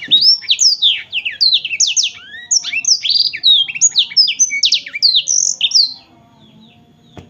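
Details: Lively warbling song of a black-throated canary, a dense string of quick, high whistled sweeps and twittering notes, roughly three per second, ending after about six seconds into quiet.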